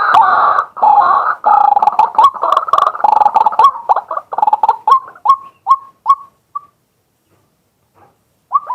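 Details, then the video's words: Daytime calling of a male White-breasted waterhen, captured live on a fixed camera: loud harsh grating chorus that slows into separate short upward-inflected notes, fading, then one more note after a pause. "เสียงนกกวัก ตัวผู้ ต่อกลางวัน ตั้งกล้อง อัดสด"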